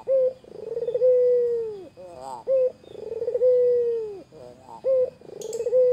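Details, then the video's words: Steady coo cycle of a white Barbary dove teasing a rival: brief sharp note, trembling rolled phrase, then a long level coo bending downward, about three rounds in six seconds. "Burung puter Putih gacor Pandai menggoda lawan"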